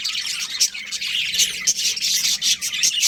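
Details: A budgerigar breeding pair keeps up rapid, buzzy chirping and chatter, a bright scratchy warble running throughout.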